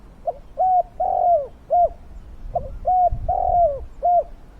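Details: Cooing spotted dove used as a decoy for wild doves, loud and fierce-voiced: two phrases of short hooting notes, each built around a long, wavering, falling coo, with light low rumbling.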